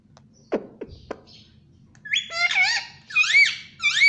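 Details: Indian ringneck parakeet, a household pet, first makes a few sharp clicks, then breaks into a series of loud, ringing, arched squawks repeated roughly every half second.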